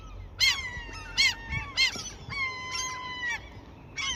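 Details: Seagulls fed at a fishing spot to stop them attacking; sharp squealing calls alternating with a long, steady, nasal wail lasting about a second, several birds calling.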